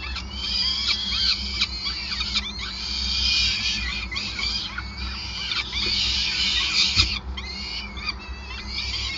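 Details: Peregrine falcons calling at the Gasunie nest in Groningen, 5 May 2020, while feeding goes on: rapid, overlapping high squeals and whining notes, several per second, pause briefly near the seventh second. A low background rumble runs throughout.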